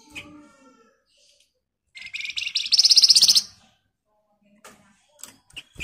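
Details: Flamboyan in energetic dense 'ngebren' song, used as a lure so other birds reply: a faint chirp, silence, then a loud, high, very fast rattling trill of about a second and a half, followed by scattered soft clicks.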